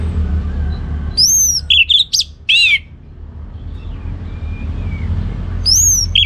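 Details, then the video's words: Orange-headed thrush singing ngeplong gacor. A bright whistled phrase and rapid chips and slurs come in a burst, then a long quiet stretch with faint soft notes, and a new phrase begins near the end. "Anis Merah Ngeplong Gacor"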